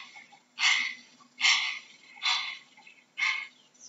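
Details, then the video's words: A heron gives four harsh, rasping squawks, each short and hoarse, evenly spaced a little under a second apart, with only faint background hiss between. "How does a Heron sounds"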